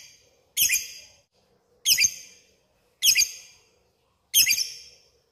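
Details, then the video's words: Lovebird calling a rival: four harsh, high, buzzy squawks, each sharp at the start and trailing off, spaced a little over a second apart in quiet surroundings. "Suara burung lovebird memanggil lawan ngetik ngekek gacor"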